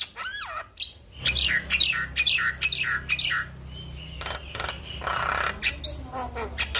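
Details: Morning black-winged starling song to lure a silent bird into singing: a swooping whistle opens, followed by loud harsh chattering bursts, a thin sustained whistle, and scratchy notes, with low hum throughout.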